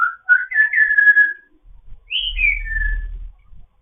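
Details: Morning chatter from a fostered grey parrot, a string of clear whistled notes stepping up and down, then a high whistle sliding downward in two steps, with low hum beneath.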